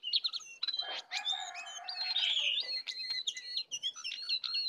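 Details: Wild and caged sooty-headed bulbuls dueling fiercely in full filler song; rapid chattering whistles and slurred notes, a rougher buzzy stretch in the middle, then clipped high chirps crowding together.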